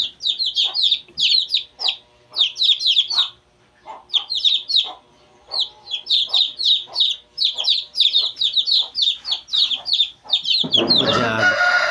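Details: A brood of two-day-old Shamo chicks peeps steadily, about three notes a second in uneven runs of high downslurred whistles, with a short lull near the middle and a burst of broadband noise at the end.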